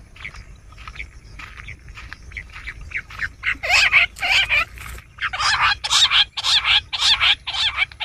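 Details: Bush quail sound used as a hunting lure: soft scattered chirps building into loud, rasping chattering bursts repeated in quick succession.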